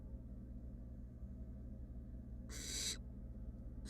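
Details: One long, breathy hiss from a wild barn owl nestling, one of three fluffy chicks resting in a nest box, comes after a stretch of low hum, with the start of another hiss at the end.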